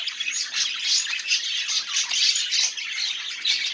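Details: Budgerigar warbling played to make silent budgies sing, loud and unbroken, with grating chirrups, little squeaks and pulsing buzzy phrases.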